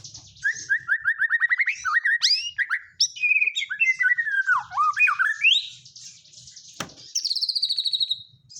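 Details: White-rumped shama singing with kapas tembak fill, starting with a rapid series of rising whistles, moving into tumbling varied slurred notes, ending on a high descending trill.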